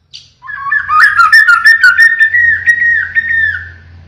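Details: White-rumped shama with pied plumage singing a siren-like phrase: a loud, sustained, slightly wavering whistle, strongly modulated at first, then fading.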